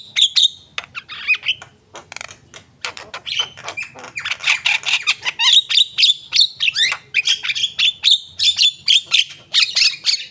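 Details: Javan myna in full, energetic song: a dense run of harsh squawks, clicks and rapid chattering notes, with bright whistled phrases and rising slurs pulsing in quick bursts throughout.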